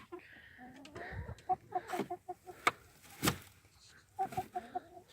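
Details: Hens at roost in their coop on a warm November night (53°F) give soft, short clucks in quick little bursts while a person collects an egg and speaks quietly nearby.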